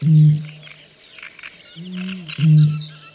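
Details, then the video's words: Great bittern booming in Volgograd Oblast, Russia, in May 2019: deep, resonant low booms, a short one at the start, then a longer swelling boom followed closely by another, over a background of chirping songbirds. "Выпь Botaurus stellaris дудит / Great Bittern song"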